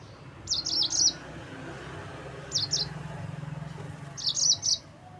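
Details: Yellow-fronted canary, provoking song for rival birds: three brief clusters of sharp high chirps separated by pauses, with a low steady hum underneath.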